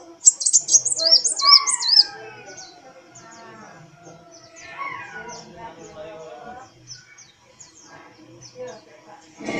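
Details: A kolibri wulung, or brown-throated sunbird, singing vigorously as its tail dances. A two-second run of shrill, bouncing, twittered whistles gives way to thin high ticks, with lower drawn-out tones and faint background noise in between.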